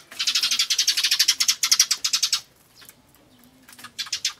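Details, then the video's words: Eurasian tree sparrow with tail raised, calling "jyujyujyu" while charging at another sparrow in spring, May 2013, fighting or courting; a long rapid string of harsh buzzy notes for over two seconds, a pause, then a short buzzy run. "スズメの喧嘩？それとも求愛？ Tree Sparrow's fighting? or courting?"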